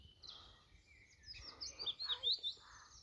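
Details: A willow warbler flitting in a tree just overhead by a Scottish loch gives a quiet, brief snippet of song: soft, sweet, high notes tumbling downward over about a second, against faint outdoor background.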